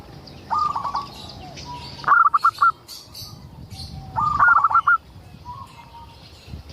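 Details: Zebra dove, a local bird in vigorous song meant to draw other zebra doves into singing; a quiet trill, then two loud stuttering coo phrases ending on held notes, with a soft low coo between.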